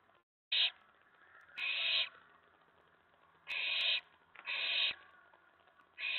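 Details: Excited owlet in a nest box around 11 PM on 19 May 2017 after a mouse delivery, reacting to an owl on the tray; five harsh, noisy hissing bursts of varying length, irregularly timed.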